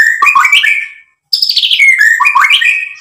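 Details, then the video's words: White-rumped shama song meant to stir other birds to answer: dense, loud warbling phrases with quick up-and-down slurs, a brief gap, then a falling whistle leading into more rich warbles. "SUARA MURAI BATU Untuk MENAIKAN EMOSI jadi NYAUT GACOR BONGKAR MATERI ISIAN | PANCINGAN MURAI"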